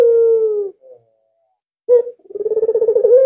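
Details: Albino Barbary dove in full voice, used to lure other doves, ending one long steady low note, then after a silence opening a new coo with a sharp start and rapid throbbing pulses.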